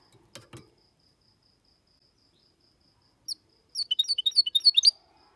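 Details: Goldfinch x canary hybrid (mule) in clean song, played to stimulate males to sing and young birds to memorise; two low knocks, a pause, then a fast burst of high, sharp twittering notes about one second long over a faint, steady, high pulsing.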